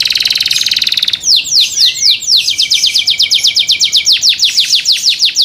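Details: Canary song said to prompt other canaries to join in: a brief buzzy trill opens into rapid, repeated downward-sweeping whistled notes, steady and loud, with a faint lower chatter beneath.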